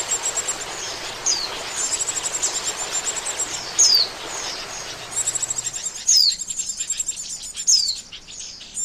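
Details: Oriental white-eye lure sound for catching birds: several sharp high down-slurred notes mixed with quick pulsed trills and twitters, background noise dropping away toward the end.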